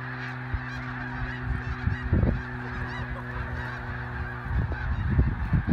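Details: Dense roar of many migrating snow geese taking off at sunset: overlapping nasal honks over a deep, steady rumble, with brief louder surges and faint human voices.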